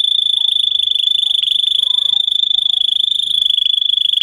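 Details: Russian canary bred for song, with a teaching recording for young canaries. A continuous, very rapid, high-pitched roll of even pulses is sustained unbroken for over four seconds.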